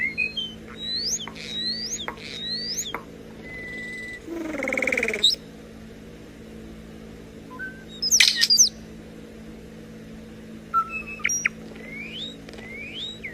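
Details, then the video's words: Common starling imitating electronic noises indoors, producing clear rising whistled notes in repeated sweeps, a steady flat tone, a harsh broadband rasp midway, and sharp high electronic-like chirps, over a constant low hum. "This starling is a little voice recorder and sometimes makes electronic noises"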